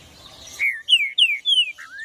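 A green-winged saltator sings a clear phrase of slurred, downward whistles ending on a rising note.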